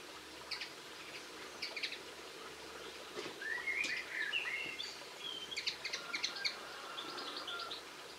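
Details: Twittering linnet song from 22 March 2016: clusters of fast high chirps, a central louder phrase of twisting warbled notes, then rapid chattering bursts, all over a soft steady outdoor background.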